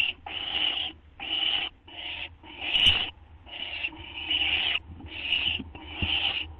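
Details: Owl at 2:16 AM on August 30, 2011, getting a treat: long, breathy screeching hisses, each lasting about half a second, repeated at uneven intervals over a faint low hum.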